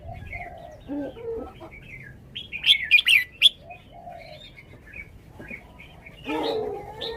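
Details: Caged red-whiskered bulbul showing its song style: scattered whistles, then a loud cluster of quick bubbly notes mid-way, with lower-pitched calls from other birds heard in the background.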